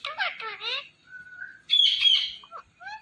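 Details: ['Talking Indian ringneck parrot: a garbled, word-like phrase, then a thin level whistle, a loud harsh high-pitched burst, and a short final note.']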